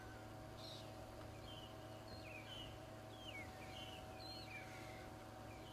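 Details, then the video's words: Several magpie shrikes singing at once in the South African bush of Djuma Game Reserve, morning, November 9, 2011; bright whistled phrases with falling slurs overlap throughout, beneath them a droning vehicle engine. "You can hear all these magpie shrikes singing"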